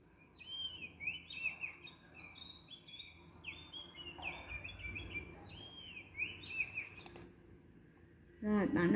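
Oriental magpie-robin singing a rich, varied run of clear whistled phrases, several notes a second, over a faint room hum; a loud thump near the end.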